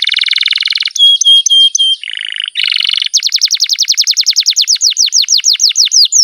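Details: Rolling 'ngerol' song of a canary, meant as a tutor and prompt for other canaries: a dense buzzy trill, several bright whistled notes, a low warbled roll, then a long run of rapid falling chirps.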